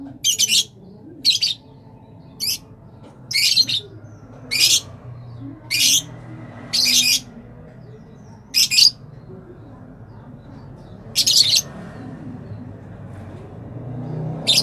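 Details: Captive rosella calling in a quiet room: a series of about ten short, harsh, high squawks at irregular intervals of one to two seconds over fifteen seconds, with faint low background hum.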